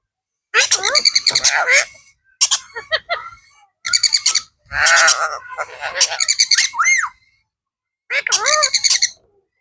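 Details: A talking blue pet parrot calling "Mithu Mithu" speaks in six quick, raspy, speech-like bursts of about a second each, mixing word-like syllables with squawks and a rising whistle.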